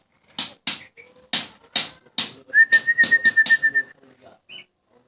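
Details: Golden weaver calling loudly: a series of harsh, broadband rasping bursts about every half second, then a rapid run of pulses under a steady thin whistled tone, ending with a short high note.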